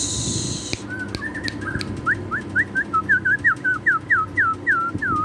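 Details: White-rumped shama singing for a masteran training recording: after a brief hiss, a run of about a dozen clear, whistled notes, each a quick falling or rising slur, repeated steadily two or three times a second.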